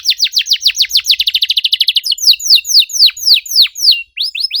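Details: Singing canary used to get a silent bird singing: rapid falling notes speeding into a quick trill, then slower loud downward sweeps and a few short upturned chirps.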